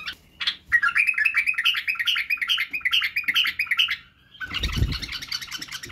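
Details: White-eared bulbul tutoring song for chicks, covering singing and barwaz: a long, lively series of rapid repeated whistled notes, a short break, then a dense chattering phrase with a low thump beneath.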